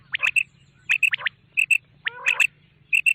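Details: Quail heard at night: short bursts of sharp chirps with paired bright whistled notes, repeated roughly every half second over a constant low hum.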